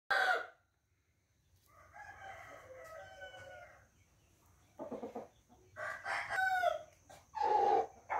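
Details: Rooster crowing recorded on 28 June 2021, a harmonic cock-a-doodle-doo heard in several bursts, loudest at the start and end, with quieter clucking and a steady faint background hum between calls.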